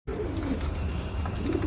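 A pigeon gives low, soft, throaty coos that rise and fall in a rolling murmur.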